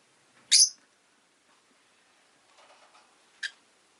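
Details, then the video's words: ['A rosy-faced lovebird (Agapornis roseicollis) makes two sharp, piercing chirps about three seconds apart, the first longer and louder. Faint low chatter is heard in between.'] "Lovebird Chirping Sounds"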